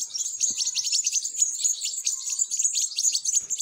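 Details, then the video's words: Goldfinch chicks (European goldfinch) begging during feeding, a thick wash of high, hurried, squeaky notes pulsing continuously, with a couple of soft low knocks. "تزقيم فراخ الحسون"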